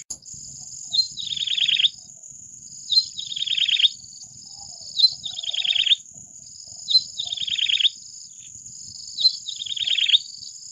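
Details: Yellow-bellied prinia repeating its song five times at regular intervals of roughly two seconds: a clipped introductory note, then a quick buzzy trill dropping in pitch, against a steady high-pitched drone.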